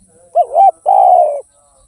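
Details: Spotted dove (derkuku) in full song, tanpa kuk or kuk 1 style: a quick rising-and-falling double note, a brief gap, then a sustained mellow coo lasting over half a second.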